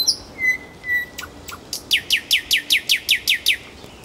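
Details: Singing nightingale, Kuzminki forest park: two drawn-out whistles and soft taps lead into a rhythmic series of about twelve ringing, downslurred notes repeated evenly.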